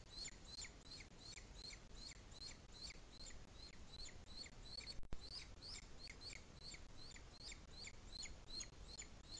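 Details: Booted eagle at a nest in Sierra de Guadarrama National Park, Madrid, Spain, 2021 breeding season, with an adult still feeding the chick. High, thin notes drop at the end. They repeat quickly and steadily throughout over a low rumble.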